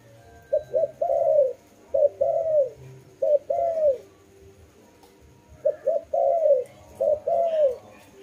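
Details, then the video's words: Repeated dove coo phrases, each two brief hoots leading into a long mellow falling note, four phrases in two bursts with a silent gap between. "Lovely dove/ lovey sounds"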